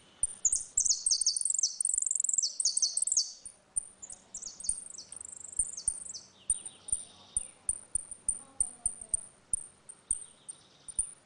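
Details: Saffron finch in dispute, giving its ringing 'retinido' song used for tutoring young birds: dense bursts of very high falling notes, then a long series of sharp single chips repeated about every half second.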